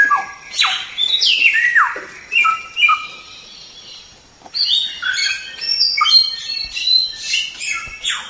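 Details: White-rumped shama singing for a masteran tutor recording: loud swooping whistles and steeply falling notes, a brief pause near the middle, then a dense burst of high chattering, twittering phrases.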